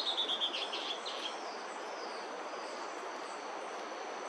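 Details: Bertoni's antbird foraging in bamboo in Brazil sings a short series of raspy, slightly falling notes in the first second, then the song trails away into steady background hiss.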